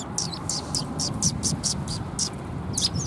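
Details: Sparrows gathering to be fed at a Tenmangu shrine, 14 March 2021, chirp in quick regular high bursts, about three per second, over low background rumble.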